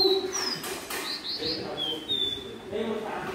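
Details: Caged caboclinho of the pé de serra type, also called serrano or Santa Maria, singing after being taken to its keeper's workplace: clear high whistled notes, some slurred downward, a quick pair of rounded notes mid-way, over steady human talking.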